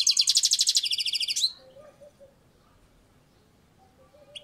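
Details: European goldfinch on a balcony delivering a fast, buzzy trill of rapidly repeated high notes for about a second and a half, then near silence with a faint distant tone.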